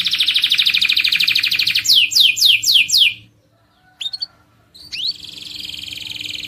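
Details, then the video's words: Canary song used to get other birds singing: a rapid high trill, then five loud descending slurred notes, a brief pause with two short chirps, and a thinner sustained trill. "صوت عصفور الكناري يحفز طيورك على الغناء"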